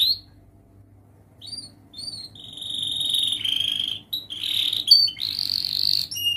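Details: Young canary practising its song, used to teach juvenile canaries: sparse high chips, then long buzzy trills and rolling reels that swell louder toward the end.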